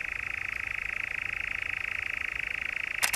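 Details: Steady, unbroken mechanical churr of a European nightjar in the Brecks, Norfolk, in July, ending with two brief sharp clicks.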